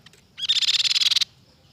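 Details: Crescent-chested babbler: brief soft notes, then an intense, scratchy rattling trill of about fifteen rapid pulses lasting nearly a second, ending abruptly.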